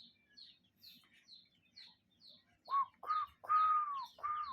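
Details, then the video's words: Cuckoo in nature: after soft high chirps from other birds, four loud arched calls, the third long and drawn out. "Relaxing Cuckoo Bird Sound in Nature"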